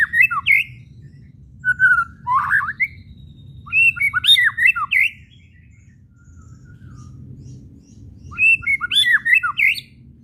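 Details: White-rumped shama whistles and kretekan chatter, used to provoke shamas to sing: short bursts of sweeping, varied whistled notes separated by pauses of about two seconds, each burst rich and rapid.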